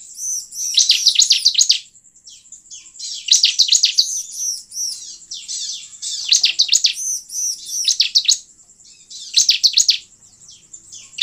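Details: Wild-bird lure of bar-winged prinia song. Four bursts of thin, high, rattling chirps arrive about every two and a half seconds, backed by faint steady whistled notes between phrases.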